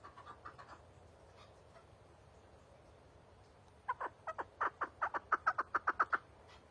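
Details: Chukar partridge: a few faint clucks over a low background hum, then after a pause a louder series of sharp, chopping notes that quickens and strengthens toward the end.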